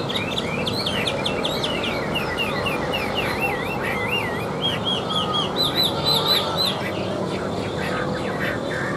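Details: Tame caged Chinese hwamei singing from a table after being hand-carried, pouring out fast varied whistles, wavering trills and repeated looping phrases in a continuous rich stream.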